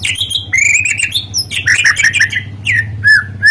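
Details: White-rumped shama song meant to start other shamas, trotoll and pastol singing: varied loud whistles and slurred notes, some sweeping down, broken by brief gaps, over a steady low electrical hum.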